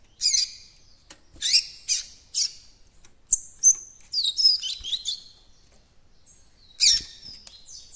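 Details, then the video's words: Juvenile White-throated Seedeater in captivity working on its song in the encarte style: several short high chirps, then a tumbling run of descending whistled notes, and a final burst of chirping. "COLEIRO BAIANO FILHOTÃO QUERENDO ABRIR CANTO DO ENCARTE"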